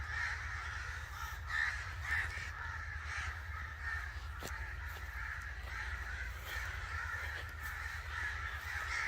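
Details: Angry crows calling: a steady stream of harsh, overlapping caws throughout, with a constant low rumble underneath.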